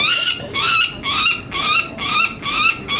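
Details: Nestling peregrine falcons, three females and one male, handled during banding on May 19, 2009 at Market Tower, Indianapolis, Indiana: harsh, loud, rasping screams repeated about twice a second, noisy and excited, with handling noise beneath.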